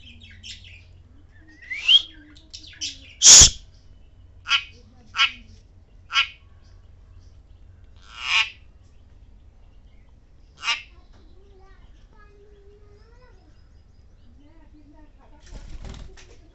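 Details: A parrot, angry at meeting a budgie for the first time and trying to bite it, gives a string of short, harsh, scratchy squawks spaced irregularly a second or two apart.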